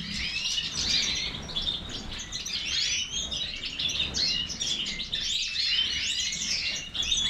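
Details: European goldfinch of the Major type singing: a rapid, continuous stream of high twittering, tinkling notes and short buzzy trills, with no clear pause.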